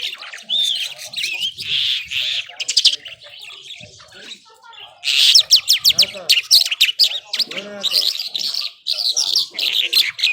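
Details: Irani Mashadi skylark, a kept bird, in nonstop powerful singing: sweet slurred whistles, then rapid clicking chatter and buzzy trills in a long, varied, high-pitched stream with brief pauses.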